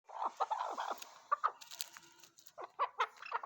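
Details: Chukar partridge giving quiet clucking chuk notes, irregular bursts of short harsh calls with brief pauses between.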